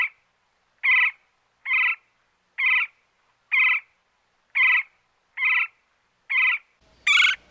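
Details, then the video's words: A woodpecker gives a run of eight short, nasal, slightly buzzy calls, about one per second, the last louder and higher, recorded while a tree trunk was being cut; no tapping is heard. "Woodpecker Sound While Cutting Trunk Of Tree | Woodpecker Calling"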